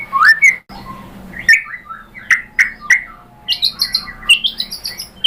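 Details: White-rumped shama singing in a lure recording meant to set off another bird: sharp chirps and short upslurred whistles in uneven bursts, some notes thin and high, with a faint hum behind.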